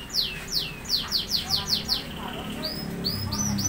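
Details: Caged lovebirds paired as mates, kept at a workshop in Bandung: a rapid series of sharp, high, downward-sliding chirps about five per second, then thinner rising squeaks, with steady background hum.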